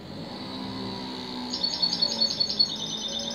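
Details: European goldfinch singing: after a second of low steady hum, a fast bright twittering run of high chirped notes starts and continues to the end, slightly lowering in pitch toward the close.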